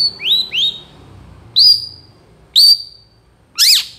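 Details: Long-tailed shrike singing imitation-filled phrases: two quick upslurred chirps, then three loud separate whistled notes about a second apart, the last one sharply rising and falling, in near silence.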